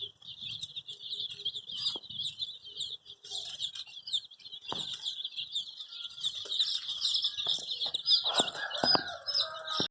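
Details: A group of dyed chicks searching for the hen, chirping in rapid, overlapping high peeps that grow louder toward the end, with occasional thumps and scratching.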